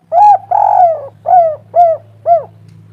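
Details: Spotted dove cooing as a lure meant to make other doves sing: one short coo, a long rolling coo, then three evenly spaced arched coos, deep and mellow, with a constant low hum underneath.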